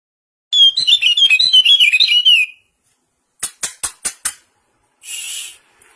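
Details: Common iora in a singing contest between two birds: a rapid run of sweet, warbling whistled notes for about two seconds, then a series of five sharp dry clicks, then a short harsh hiss.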